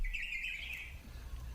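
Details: A Red-whiskered bulbul (Pycnonotus jocosus) in the Honolulu, Hawaii area gives a bright, slightly wavering whistled call note lasting under a second, over a low rumble of background noise.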